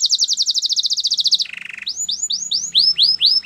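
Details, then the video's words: Canary training song: a rapid, evenly spaced high trill, a lower buzzy roll, then a run of rising-then-falling whistled sweeps repeated about four times per second. "Canary training song"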